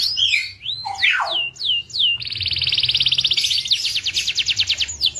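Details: Local Indonesian canary song opening with slurred whistled swoops, then a fast, even, buzzy trill and a string of sharp repeated sweeps. A faint low background hum is present.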